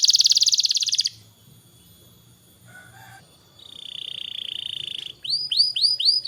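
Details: Canary song meant to stimulate young canaries: a loud buzzy trill, a quiet stretch with faint low notes, a steady high whistled tone, then several arched high notes.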